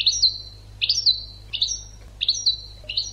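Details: European goldfinch song for training birds: repeated bright, buzzy-edged twitter phrases, each a quick cluster of sliding high notes, coming roughly every three quarters of a second.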